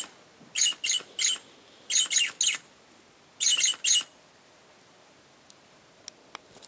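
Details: Parakeet singing and moving about, giving harsh, high chattering notes in three quick bursts of two or three, then quiet with a few faint clicks.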